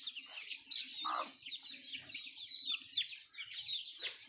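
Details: Country chickens pecking at food: a steady stream of thin, high chirps and peeps, many overlapping, with one lower soft cluck early on and faint tapping sounds beneath.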